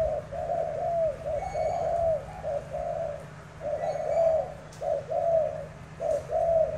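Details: Spotted dove entered in a cooing contest, Tra Vinh style, cooing low and mellow in short rounded phrases repeated about once a second, some notes ending in a brief falling slur, with a steady low hum behind.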